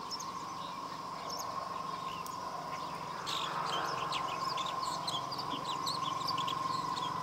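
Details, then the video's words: A Long-tailed shrike runs through quick, high chirps and sparrow-like notes mimicking smaller prey birds such as the House sparrow, over a steady droning hum. "Long-tailed shrike mimicking other birds"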